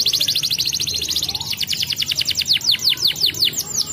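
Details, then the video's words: Canary song used as a lure to get young canaries rolling quickly: fast even trill of high buzzy notes, then a slower series of descending strokes, about three per second. "suara pancingan kenari muda agar cepat ngerolll"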